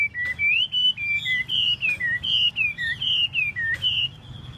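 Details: Chinese hwamei dancing its tail, singing loud clear whistled phrases that swoop up and down, each short phrase repeated a little over once a second in an even, flowing series, with a low background hum.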